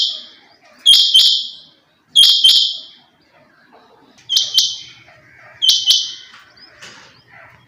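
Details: Female rain quail calling: loud, high, harsh double-noted bursts repeated roughly every 1.3 seconds, four calls with brief quiet gaps between them and faint low background hum.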